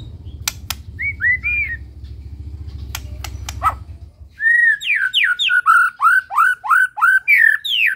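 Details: White-rumped shama of the Medan type singing full isian: a few looping whistles and clicks over low hum, then a loud, fast string of varied slurred whistles, rising and dropping, about three every second.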